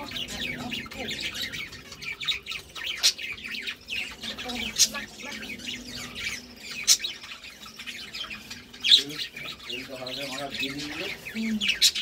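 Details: A budgerigar couple chatters steadily with high chirps, squeaks and sharp accented notes, and a few lower, buzzy warbled phrases appear near the end.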